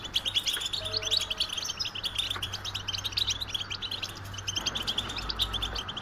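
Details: American goldfinch song: dense, fast run of high twittering chirps and trills, continuous throughout, with a faint low steady hum underneath.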